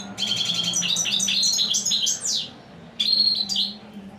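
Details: A goldfinch delivers a long rapid tinkling twitter with buzzy, trilled notes, a brief pause, then another bright phrase, over a faint low hum.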